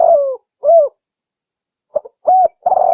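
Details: Female spotted dove calling to attract a male, recorded for use as a lure: soft mid-pitched coos with a slight downward slide, two separate notes, a pause, then a cluster of three quick coos.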